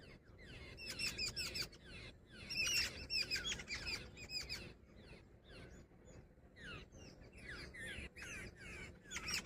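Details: Jungle babbler, said to be female, in quieter bouts of squeaky, nasal chattering separated by short gaps, with softer downslurred notes in the second half.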